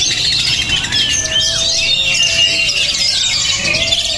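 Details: Promising, spirited Oriental magpie-robin in continuous high, fast warbling with chirps and short whistles. A steady low tone runs underneath, and one long drawn note slides downward.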